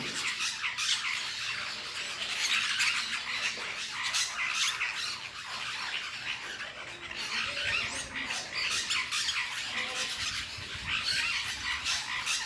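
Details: Lorikeets eating fruit in La Fortuna keep up a steady, harsh screeching chatter, many shrill squawks overlapping with no pauses. No other clear sounds.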